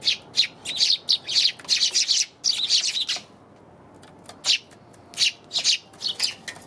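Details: Eurasian tree sparrow recorded January 27: a rapid run of repeated high chirps for about three seconds, a brief pause, then scattered single and paired chirps resuming.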